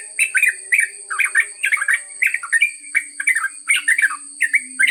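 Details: Trucuk, the yellow-vented bulbul, delivering a long ngropel song of fast, rich gurgling phrases tumbling one after another without pause, over a persistent thin high whine.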